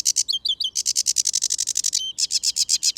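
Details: Loud, high, varied song of a sedge warbler in a wet ditch and pond habitat at Gibraltar Point, Lincolnshire: a fast run of dry, rattling notes, some fluty slurred notes mixed in, with nearly four notes each second.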